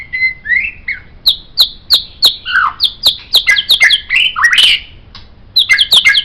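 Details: White-rumped shama song for training songbirds: a string of repeated downslurred whistles about three per second, then a tangled burst of chattering notes, a pause, and more chips.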